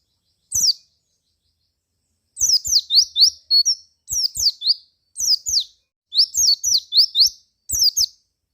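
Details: White-eye ngalas lure song to stir other white-eyes into song: one shrill chirp, then several fast bursts of high zigzagging notes with short gaps between them, with soft clicks throughout.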